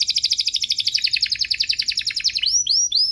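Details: Canary song intended for young canaries to learn: a long rapid trill slowly falling in pitch, then a few arched whistled notes.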